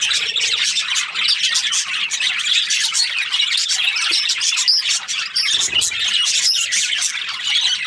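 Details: Australian budgies keep up nonstop overlapping chirps and twittering warbles, bright and high-pitched, with a brief low thud partway through.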